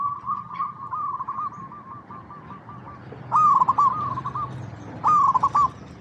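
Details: Local perkutut, the zebra dove, gives a long run of soft even coo notes, then two loud rolling staccato coo phrases, over low background hum.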